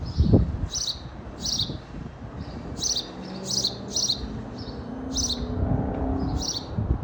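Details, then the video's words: Sparrow chirping repeatedly, about nine sharp high notes spaced irregularly, sometimes in quick pairs, over low background noise with a brief thump near the start. "Sparrow Bird চড়ুই পাখি"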